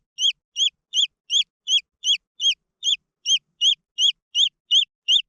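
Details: Rapid, regular peeping from green junglefowl chicks, thin high downslurred notes spaced evenly at nearly three per second, clean and uninterrupted.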